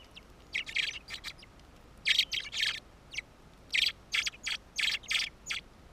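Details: Fieldfare near its nest on Ryazhkov island, a black-breasted bird holding food for its young, June 2014: scratchy, grating chak notes given singly and in tight pairs and triplets, with short quiet gaps between bursts.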